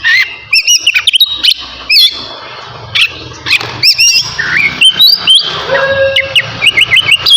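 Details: Oriental magpie-robin of the navy type singing vigorously just before bathing: loud, varied whistled phrases with rising and falling slurs, sharp chirps and harsh bursts, delivered in quick bouts separated by brief pauses.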